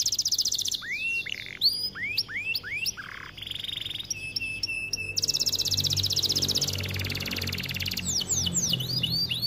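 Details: ['A white canary sings a varied phrase: descending sweeps, a low buzzy note, steady whistled tones, then a fast rattling trill and more falling sweeps.']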